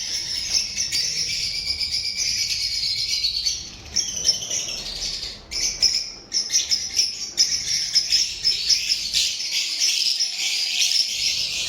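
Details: A group of lovebirds keeps up shrill, overlapping chatter. It briefly softens around the middle, then returns with bursts of sharp, squeaky tweets.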